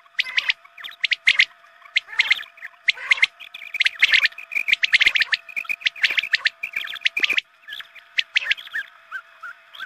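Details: Quail lure calls sounded at dawn prayer time: busy, overlapping chirps and twitters in uneven clusters, several notes per second throughout.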